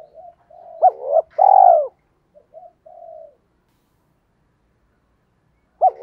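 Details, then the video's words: Decoy spotted dove luring wild doves. Soft lead-in murmurs give way to a hooked double note and a loud, long coo, then quiet trailing notes, a pause, and the next phrase starting. "tiếng chim cu gáy kích bổi nhanh nổi hiệu quả"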